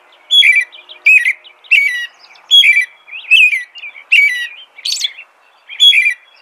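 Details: American robin song of repeated whistled caroling phrases, about nine in six seconds, each a descending slurred note topped by thin high squeaky elements, one especially high and buzzy near the end.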